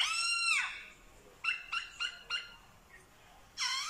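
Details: Vietnamese black-throated laughingthrush, a mimic of dogs, cats and chickens: a loud descending slur, then four short clipped notes spaced evenly, and a final rich harsh note, over faint background hiss.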